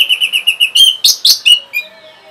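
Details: Orange-headed thrush giving quick song meant to provoke rivals: a steady series of about seven even, rapid whistled notes, then louder ringing notes and a fading whistle.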